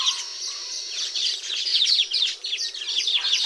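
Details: Short burst of Baya weaver chatter during nest building in the tropics: quick descending chirps and buzzy twitters tumbling over one another at a lively pace.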